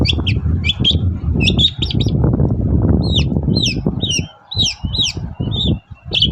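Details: Long-tailed shrike singing in the morning as a lure to make other shrikes answer: clustered squeaky chirps, then a series of down-slurred whistled notes repeated roughly every half second, over low rumbling noise.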